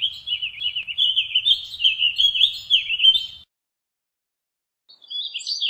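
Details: A warbling vireo delivers a fast, meandering warble of slurred whistled notes for over three seconds, wavering and rising slightly at the end; after a pause, a further higher warbled phrase begins.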